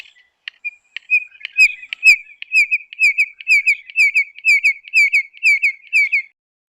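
A Red-crested Korhaan opens with a few dry clicks, then gives a steady series of high, piping whistled notes, about two per second, with nothing else heard.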